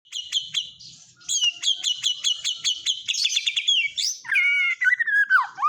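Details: White-rumped shama singing a song with kapas tembak fill, opening with a run of sharp repeated chips about three per second, then rolling whistles and a falling, slurred whistled phrase at the end.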